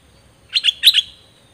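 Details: Dok Taeng bird song recorded in 2020 for young birds to imitate; two quick pairs of bright, ringing chirps in a single short burst, then quiet.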